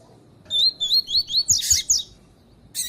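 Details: Female Lined Seedeater (coleiro tui-tui) call, used to stimulate and train males to sing: a quick run of high, thin chirps, about five in a second and a half, then a harsher buzzy burst and one final note.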